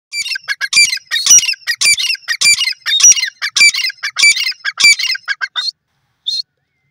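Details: Grey francolin, known locally as teetar, calling: loud, harsh, ringing notes delivered in a fast run of about nine bursts over six seconds. Each burst is rich and buzzy. A short pause follows, then one last shorter note, against a quiet background.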